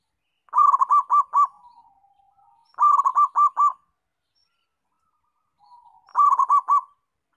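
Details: Local zebra dove singing actively: three bursts of rapid, rolling, bubbling coos, each a quick run of about five notes with a softer trailing coo, spaced a few seconds apart, against a quiet background.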